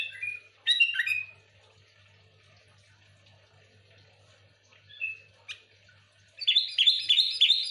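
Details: Sooty-headed bulbul in full lively song, meant to lure other bulbuls: a short burst of slurred whistled notes, a long quiet pause with one brief phrase, then a rapid bubbly chattering run at the end.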